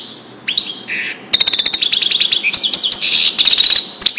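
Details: Widani-style goldfinch song used to train chicks; a few scattered high notes and a short buzz open, then a rush of quick tinkling twitters and trills runs to the end.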